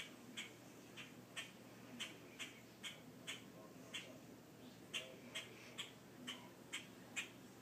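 A grackle gives short, harsh chack notes, about two a second, sixteen in all, over a low background rumble.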